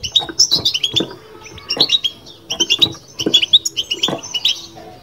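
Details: European goldfinch giving its bitbita twittering song: quick, bright chirps and short trills in bursts that repeat about every second, with brief pauses between phrases and faint low background noise.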